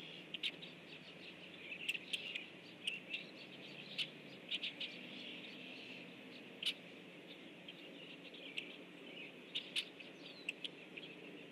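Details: Rusty blackbirds, a flock flying in, recorded on 17 October 2013 around 7:55 in the morning; short sharp chip and chack notes scattered irregularly through the clip, some in quick pairs, over a steady low background hiss.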